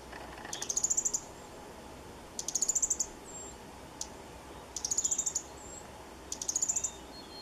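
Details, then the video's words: A male Fire-breasted Flowerpecker calls: four very high, thin bursts of rapid clicking ticks, each under a second, repeated about every two seconds over a quiet background. "Fire breasted Flowerpecker Male calling"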